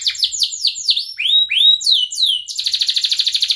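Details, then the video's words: Canary song meant to coach young birds, with bouncy descending whistled notes and a couple of rising swoops, ending in a quick even rolling trill. "kenari gacor panjang Cuit Cuit EMOSI, Pancingan Kenari Paud Belajar Bunyi"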